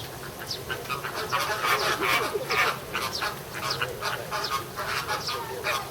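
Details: American flamingos in a group at Ueno Zoo, Japan, filmed in June 2016, calling as if quarrelling: dense overlapping nasal, goose-like honks and short grunts from many birds, in rapid irregular bursts.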